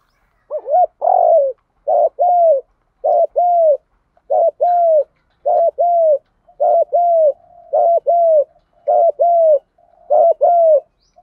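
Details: Spotted doves cooing, a recording of males and females for luring wild doves and training decoy birds. A long, regular run of about eleven short-long coo pairs, each roughly a second apart, low and hollow in tone.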